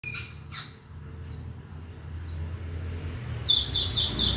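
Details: Bird singing, with faint scattered chirps early on, then a quick run of short, bright, high notes repeated near the end over a steady low hum.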